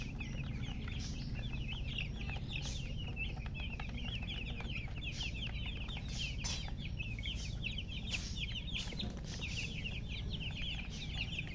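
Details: Young chickens chirp nonstop, a dense mesh of short high cheeps crowding together, brief brighter bursts and soft clicks breaking through now and then, all over a steady low-pitched hum.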